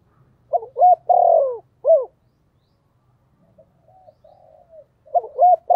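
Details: Spotted dove kept as a decoy gives a full low four-note cooing phrase with a long downward-sliding third note. Faint soft hums follow, and the next phrase begins at the end.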